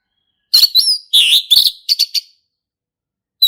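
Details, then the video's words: Wild male orange-headed thrush, singing lively in ngeplong style within forest: a wavering whistle, rich buzzy rasping notes, then three or four quick bright notes, ending in silence. "SUARA ASLI HUTAN ANIS MERAH JANTAN GACOR NGEPLONG"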